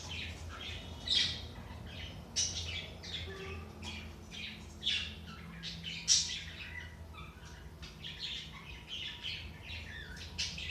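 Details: Budgies chattering, intended to stimulate inactive birds: long stretch of irregular scratchy twittering and buzzy notes, punctuated by a few louder sharp squeaks every couple of seconds, low hum beneath.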